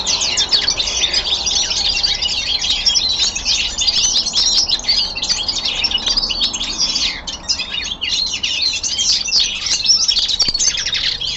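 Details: A young male common linnet singing indoors in winter descant style, a long, fast, high-pitched twittering medley of chirps and trills that runs almost without pause, dipping slightly about two-thirds through.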